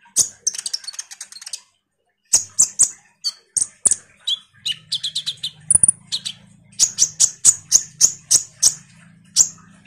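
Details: Common iora chattering energetically as a trigger for sunbirds: rapid runs of very high ticking notes, a pause, then quick chips and short whistles, ending in a steady series of sharp notes over a low hum.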